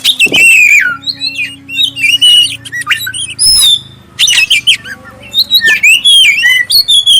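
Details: Oriental magpie-robin, black-breasted, in clear lure song intended to prompt other magpie-robins: vigorous bursts of high whistles, downward slurs and chattering notes, with short breaks between phrases and a soft low hum behind.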